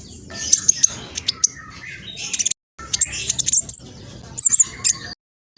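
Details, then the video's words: Spotted black sunbird singing at speed: sharp, high-pitched chirps and short trills in quick bursts, with two short silent breaks. "Kolibri blacksunbird trotol speed cepat semua burung akan ikutan nyaut respon"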